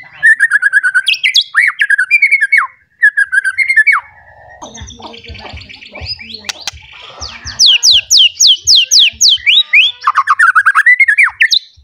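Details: White-rumped shama, worked up and looking for a rival, delivering its full repertoire: fast chattering whistles at first, then a scratchy, clattering passage, and finally a loud series of rising whistled notes repeated in quick succession.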